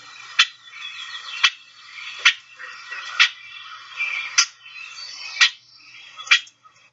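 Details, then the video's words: Gray Catbird giving sharp, abrupt put calls roughly once a second among softer, slurred mew calls in the upper range. "Additionally, they also produce this kind of put call, which you can hear amongst the mews in this one."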